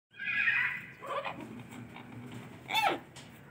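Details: Turquoise-fronted amazon (Amazona aestiva) giving a loud, harsh, harmonic squawk, then a quieter rough note and a second short, strident downward call near the end; faint low background hum.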